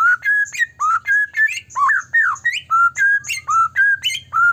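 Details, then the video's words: White-rumped shama song, loud and fluent, used to provoke other shamas into singing: steady, quick phrases of rich whistles mixing level, rising and slurred notes with high sharp accents, repeated about every third of a second over a low hum. "murai batu gacor AMPUH buat PANCINGAN murai batu agar bunyi"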